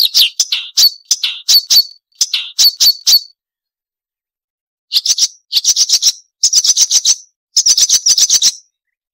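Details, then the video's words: Marsh warbler song on a tutor recording for songbirds such as murai and kacer. Short bursts of rapid, sharp chattering notes come in groups, separated by a pause of nearly two seconds. "Masteran Burung Suara Tajam - Masteran Nembak Tajam - Mars Warbler"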